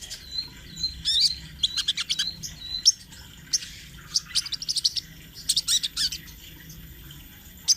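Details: Sunbird, locally called sogon trotol, in a rolling song used as a master for training birds: rapid bursts of high, thin chirps and twitters, clustered and irregular, with brief pauses between phrases.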